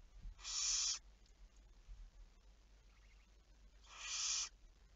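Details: Barn owl, recorded 11 May 2019 at 23:34, uttering two loud, noisy screeches around three and a half seconds apart, with only a faint hum in between.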